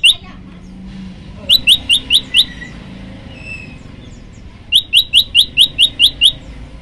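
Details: Prinia giving short runs of sharp high chirps, five notes then a pause and eight more, evenly spaced, over quiet low background noise.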